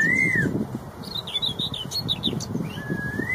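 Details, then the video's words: Red-tailed straw-headed bulbul in the wild: a loud, bubbling warbled phrase opens and closes the moment, with a quick burst of high, scratchy chatter from other small birds between. "CUCAK ROWO EKOR MERAH | MASTERAN MEWAH | GACOR NGEPLONG..DI ALAM LIAR."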